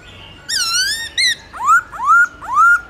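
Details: Black-throated laughingthrush delivering loud forest-style song (giọng rừng), used to train caged birds: a long rich wavering whistle, a short note, then three upslurred whistles, each swinging up and levelling off, evenly spaced.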